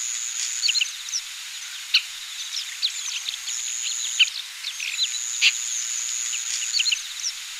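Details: Oriental pratincole, 20 April 2016: clusters of brief, piercing chirps and slurred notes scattered through the recording, with a few louder clicks and a continuous high-pitched whine behind them.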